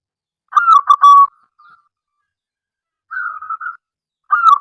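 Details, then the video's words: Local zebra dove calling actively to attract other doves to call: a phrase of quick coos ending in a held note, a soft flat rolling trill after a pause, then a fresh phrase beginning. "perkutut lokal gacor suara aneh"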